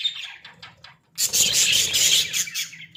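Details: Caged Australian budgies in a small cage: faint scattered chirps for a second, then a dense burst of high, scratchy warbling chatter that runs almost continuously to the end.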